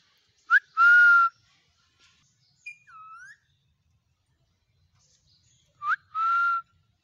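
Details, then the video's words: Rose-ringed parakeet kept as a pet, whistling: short rising notes followed by steady clear whistled tones, in two bursts several seconds apart, with a softer curved whistle between them. "ringneck parrot talking voice | parrot creeping sound"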